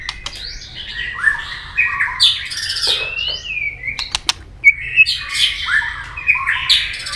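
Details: White-rumped shama with tail clicking in a fighting song to provoke rivals: varied whistled and squeaky phrases with harsh accents, a short lull, then a renewed burst of loud chirping notes.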